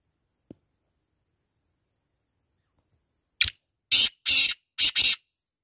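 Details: After a long silence, a black francolin (Kala Teetar) delivers four or five loud, scratchy notes in a rhythmic burst lasting under two seconds.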